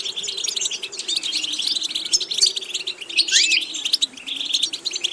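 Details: Goldfinch singing rapid, continuous twittering with a slurred rising whistle midway; a steady low hum sits underneath.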